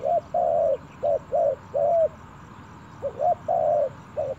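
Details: Spotted dove taken to the forest for the first time, giving bursts of rounded coos, short and long notes in uneven groups, with a pause of about a second in the middle.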